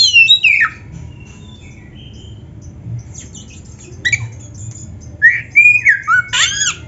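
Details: Kacer, the oriental magpie-robin, singing in tutor-recording style: a falling whistled slur opens, a long quiet gap follows, then rising and dropping whistles and a burst of sharp, rich notes near the end.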